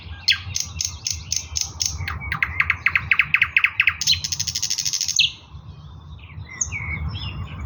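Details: Eastern nightingale singing on 16 May 2024, with a sequence of loud clicking notes building into a rapid, very high buzzing rattle, then soft scattered chirps amid low rumble.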